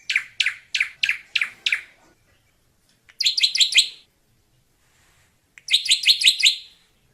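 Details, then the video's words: Drongo singing in the wild: six evenly spaced sharp descending notes, then two rapid buzzy chattering bursts of five to six notes each, quiet surroundings. "Suara Burung SRIGUNTING merdu di alam liar"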